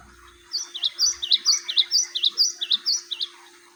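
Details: Java sparrow song used as a lure for training: a sustained run of high, ringing, paired chirps alternating between two pitches, roughly sixteen notes over three seconds, with a low constant hum in the background.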